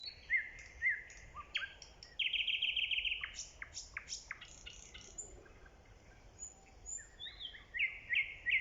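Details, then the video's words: A nightingale, recorded in early spring, sings a varied song of bright whistles, a quick dry rattling trill and sharp high notes, against a soft low background rumble. "The nightingale's singing"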